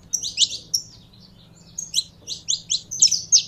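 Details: Saffron finch held by a bird keeper during warm-up: scattered high, sharp chirps, a pause after the first second, then a quickening run of bright notes toward the end, over a soft hum.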